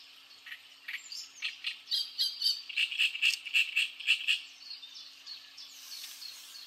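A great reed warbler gives harsh, croaking song phrases, a grating chatter that breaks into loud repeated notes, about two per second, over quiet background hiss.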